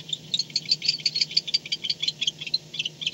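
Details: Barn owl at a nest box camera, returning home at 4:38 am on 2-10-16: rapid, high twittering chirps, uneven and overlapping, over a steady low hum.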